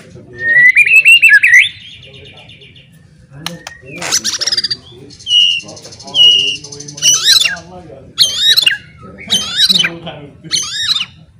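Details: Loud provoking song of a White-rumped shama, sung to rouse other shamas to fight; a warbled whistled phrase, then buzzy bursts, paired high notes and repeated harsh rising strokes.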